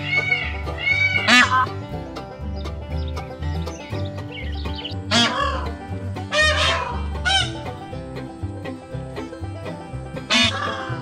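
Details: Indian peafowl on a farm, peahens and peacocks alike, give loud, harsh distress honking bursts at irregular intervals. They keep up the alarm until a disturbance, such as a strange animal, is gone. Steady background music plays throughout.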